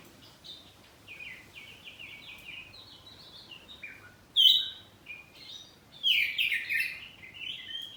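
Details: Oriental magpie-robin of the kacer poci type, kept at home, singing in full ngeplong style with answering phrases; faint, high whistled phrases under steady background hiss, with two louder bright bursts of notes midway and toward the end.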